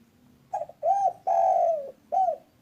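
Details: Spotted dove of local type, calling briskly in the 'kuk satu' style, used as a lure for trapping: a soft short note leads into a rounded coo, a long sliding coo, and a short final coo; faint steady hum behind.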